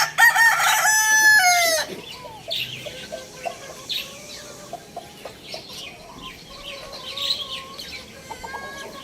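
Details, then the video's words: Lohmann Brown rooster crowing loudly: a long, harsh, harmonic-rich crow lasting nearly two seconds, stepping down in pitch at the end, followed by soft scattered clucks and faint chirps from other birds. "cute rooster crowing sound effect"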